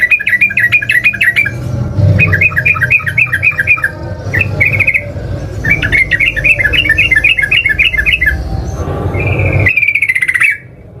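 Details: Yellow-vented bulbul (trucukan) lure recording used to make other bulbuls answer and sing busily: rapid chattering trills near one pitch, repeated in bursts with short gaps, ending in a rising buzzy phrase, over a low rumbling background.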